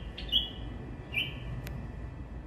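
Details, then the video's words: Two brief, sweet whistled notes from a white-eared bulbul, about a second apart, followed by a sharp click, against a soft low-frequency hum. "white eared bulbul bird singing"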